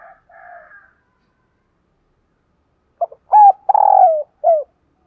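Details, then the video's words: Spotted dove used as a decoy to lure wild doves, giving one low cooing phrase: clipped opening notes, a level coo, a long rough descending coo and a short falling end, after a faint distant sound at the start. "Tiếng Chim Cu Mồi GÁY GỌI Bổi"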